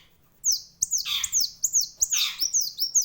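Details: Sharp, lively purple-throated sunbird song made of high thin sweeping whistles repeated quickly, broken by two louder rasping, squawky bursts, over a faint low hum.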